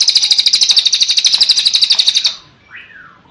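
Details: Training master of cililin song: a sustained rapid trill of sharp, high, buzzy notes for over two seconds, ending in a short, soft, falling whistle.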